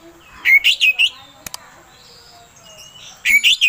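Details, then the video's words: Oriental magpie-robin lure song meant to provoke singing: two brief bursts of loud, high whistled notes with a quiet stretch and a couple of clicks between them. "Suara Pancingan Kacer Agar Cepat Emosi Gacor ! Pancingan Paling Ampuh Buat Menaikan Emosi Kacer"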